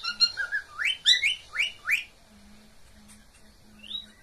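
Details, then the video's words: Pet cockatiel mating call: a handful of loud rising whistled notes in quick succession, then near silence with a faint low hum and one last soft upslurred whistle. "Cocktail birds meeting call sound."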